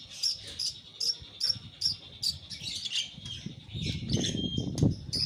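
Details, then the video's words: Long-tailed shrike after moulting, voice still not at full volume, gives a series of short sharp high notes repeated roughly twice a second, then fainter mixed chattering as broadband rustling noise rises toward the end. "cendet pentet pasca mabung volume belum pulih"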